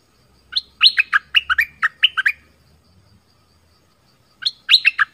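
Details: Orange-headed thrush song, recorded for luring wild birds and training young birds, is a rich, fast run of varied whistled and slurred notes lasting about two seconds, then a shorter repeat after a pause.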